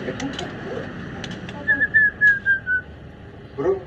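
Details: White-rumped shama singing in the afternoon: a short run of about six clear whistled notes, each slightly falling, spaced evenly over one second, after men's speech and faint clicks, with one lower note at the end.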